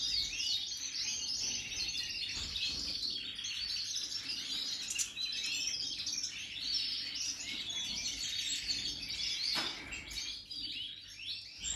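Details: European goldfinches of the Major type, new birds from 2023, in a dense, unbroken stream of high twittering, rapid chirps and liquid trills overlapping throughout, with a faint low hum beneath.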